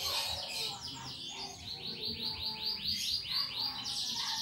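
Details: Caged canary singing energetically with clicking, typing-like phrases, used to coax other birds into song; a long run of rapid repeated high swept notes, about two per second, then a buzzy trill.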